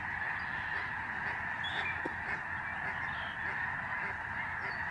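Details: Snow geese, many thousands, fill the November 2011 sky above a protected migratory bird sanctuary in Canada. Their nasal honks blend into a constant roaring chorus, with a few individual higher calls standing out.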